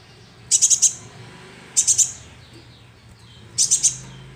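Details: Juvenile sunbird calling as a lure: three bursts of three or four rapid, piercing high chirps, separated by about a second of quiet.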